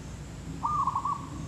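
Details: Single brief zebra dove coo recorded while trapping, a quick stuttered trill against a low humming background.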